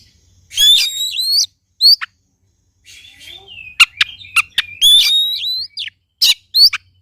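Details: Oriental magpie-robin song played to provoke a quiet bird into singing: loud rising whistled phrases with harsh buzzy notes, sharp clicks and softer warbled trills between bursts.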